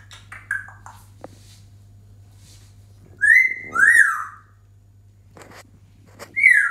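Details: Pet African grey parrot whistling: short chirpy notes first, then two loud clear whistles that rise and fall in pitch, a pause with soft clicks, and a final loud whistle, over a steady low hum.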